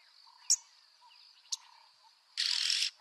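Yellow-billed oxpecker: two sharp, high ticks a second apart, then a harsh hissing rasp lasting half a second, over a faint steady insect-like hum.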